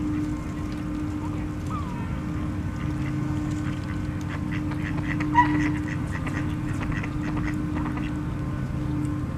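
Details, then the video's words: Ducks give scattered, faint, irregular nasal quacks, one brief louder note midway, over a steady low hum and rumble, near a frozen pond at Slater Park in winter, four days before Christmas, with geese and a squirrel nearby; finding: Duck. "Quacking Ducks"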